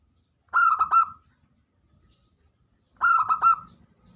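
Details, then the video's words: Local zebra dove singing actively as a lure to prompt other doves to join in: a clipped cooing phrase of quick stuttered notes and a trailing final coo, heard twice roughly two and a half seconds apart. "pancingan burung perkutut lokal gacor yang lain pada ikut bunyi"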